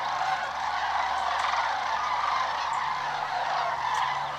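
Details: Migrating flock of sandhill cranes flying low and close, swirling on their route south over Georgia and Tennessee towards winter grounds, giving a steady, overlapping chorus of rolling, trumpeting calls with no pause and no other clear sounds.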